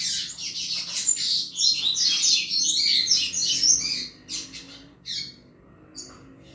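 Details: A double-collared seedeater sings in the chuva style, used to excite other males. Dense, high chattering warbles for about four seconds, then the song breaks into a few scattered short chirps with pauses.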